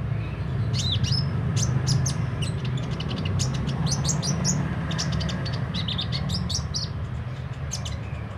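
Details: Sunbird, locally kolibri ninja, in full song: rapid, uneven run of thin, high chirps and quick slurred notes, some rising then falling, with a steady low background hum throughout.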